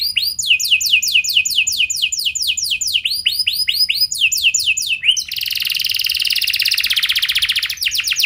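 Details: Canary singing to prompt other canaries: series of down-slurred whistled notes, rhythm shifting between phrases, then a dense, buzzy high trill and a return to swept notes.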